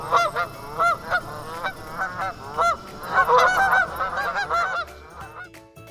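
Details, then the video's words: A flock of geese honking: nasal, overlapping honks come several per second, with a dense burst near the middle before they fade out. "Those were the sound of geese."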